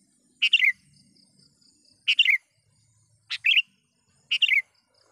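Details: Calling a rival, a gacor sooty-headed bulbul gives four short, liquid warbled phrases roughly a second apart, each a tumbling cluster of descending chirps, with a faint low rumble in the background.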